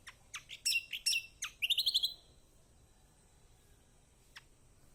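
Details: Lemon-bellied white-eye, played to coax a reluctant bird into singing: fast run of high sharp chirps ending in a bright rapid trill, then quiet with one faint chirp.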